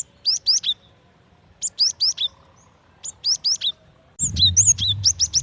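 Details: Female cinereous tit calling for the male: clean bursts of three to four high, falling chirps repeated at intervals of about one and a half seconds; a low rumble joins near the end.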